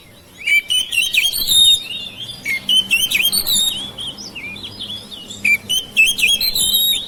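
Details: Song of a household-kept oriental magpie-robin, meant to stimulate silent birds to sing. Repeated whistled phrases rise and fall with sharp upward flicks and scratchy high notes, in phrases of under a second.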